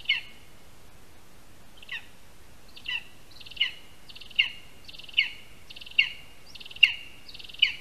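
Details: Lesser spotted eagle calling at its nest in a spruce, Latvia, 22 August 2021 at 1:38 PM, during the handover of a rat, the first prey. Scattered yelps grow into a steady series of about nine loud, high calls under a second apart.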